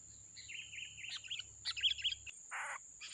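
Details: Wild sooty-headed bulbul, caught in birdlime, gives a warbling run of quick wavering whistled notes, then a few sharper chirps before a short burst of rustling noise.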